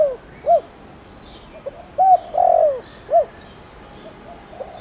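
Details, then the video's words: Spotted dove lure bird with a 'tho dong' voice, calling to provoke wild doves into answering: a soft short coo, then a level coo and a longer downslurred coo, followed by a short arched note. Faint bird chirps sound high in the background. "Cu gáy gáy gọi kích bổi nhanh nổi/Tiếng cu gáy Thổ Đồng"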